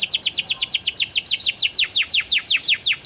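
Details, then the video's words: Continuously singing panda canary used to prompt other canaries to reply: an even, rhythmic string of about twenty loud high chirps, each sliding downward, repeated almost three times a second. "PANCINGAN KENARI PANDA GACOR AMPUH UNTUK MEMANCING KENARI MACET BUNYIPUN BISA LANGSUNG RESPON NYAUT"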